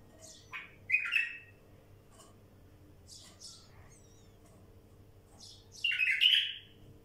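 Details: Wild bulbul giving two loud, rich warbled phrases several seconds apart, separated by scattered soft high chirps and ticks, with a quiet steady background hum.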